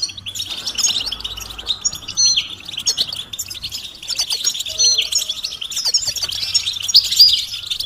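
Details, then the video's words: European goldfinch stimulation calls, bitbita and stista, for ending a male's silence; a dense, continuous twittering chatter with sharp high notes scattered through it. "بتبتة فعالة و ستستة فتاكة رهيبة في علاج صمت الحسون"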